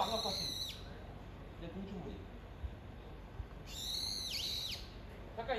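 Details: A brown-eared bulbul calls its mate: a shrill harmonic squeal at the start, a quiet stretch, then another loud squeal with a deep V-shaped dip, with soft low background noise.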